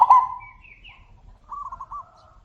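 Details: Zebra doves answering each other: a brief loud cooing note opens, then a faint high wavering chirp, and later a softer distant rolling trill of coos replies.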